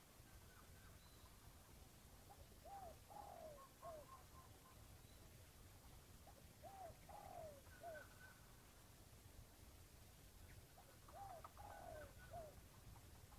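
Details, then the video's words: Crowing of a wild red junglefowl drawn in to confront a decoy. Three faint crows about four seconds apart, each a quick rising-falling note, a longer descending slur and a short closing note, over low rumbling background. "Pikat ayam hutan"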